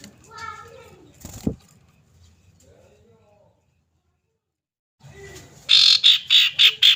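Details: Female common iora calling a male: after a man speaks briefly, a clear series of about six loud, high, evenly repeated notes arrives in quick succession near the end.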